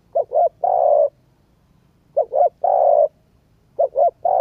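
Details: Cooing of a spotted dove, played to excite a decoy bird: soft low double notes leading into an extended mellow coo, the pattern recurring roughly every two seconds in a still setting.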